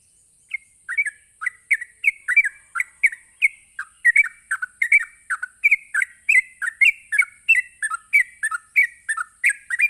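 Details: Sooty-headed bulbul delivering a long 'ropelan' rapid song played to stir other bulbuls into singing back. Dozens of chirpy, slurred whistled notes tumble in an unbroken, accelerating run, about three each second, over a faint continuous high hiss.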